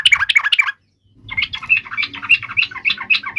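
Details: Yellow-vented bulbul giving a fighting song meant to provoke other birds to answer: fast bubbling, chattering notes in quick bursts, a brief pause, then a sustained excited stream of varied chirps.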